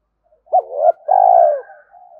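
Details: Spotted dove calling, meant to rouse and train decoy birds: a short hooting note sliding into a longer, steady, mellow coo, then fainter wavering murmurs.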